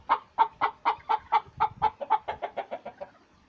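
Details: Laying hen giving an even series of short, mellow clucks, about four per second, gradually fading and quickening toward the end.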